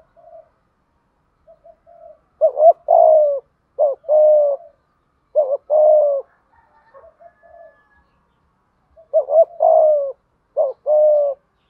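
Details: Decoy spotted dove uttering 'thúc gù' coos to coax trained or wild-caught doves into cooing; soft brief notes open, then bursts of doubled upslurred notes each followed by a longer even coo, with quiet gaps between.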